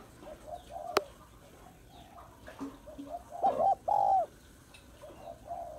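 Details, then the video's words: Female spotted dove calling to stimulate males. A few soft coos are heard early, then a loud pair of rounded, mellow coos near the middle over a faint, busy background. "Cu gáy mái kích trống/ tiếng cu gáy mái kích trống hay"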